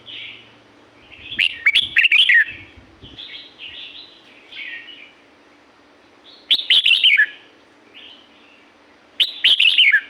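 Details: Red-whiskered bulbul from the Thai forest of La-u: loud tumbling whistled phrases recurring every few seconds, bright slurred notes dropping at the end, with softer warbling between and a low thump early on.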